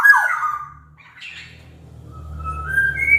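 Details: Black-naped oriole from Sumbawa, a large-bodied local bird, singing as a lure to make reluctant orioles sing: a loud fluty whistle near the start, a brief buzzy note, then quieter rising whistled tones over low hum.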